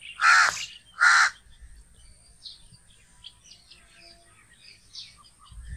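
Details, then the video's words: Two harsh, grating caws from a crow, close together near the start, then faint chirps of other birds in a quiet setting. "crow sound || crow ki awaz || कौआ ध्वनि || કાગડાનો અવાજ"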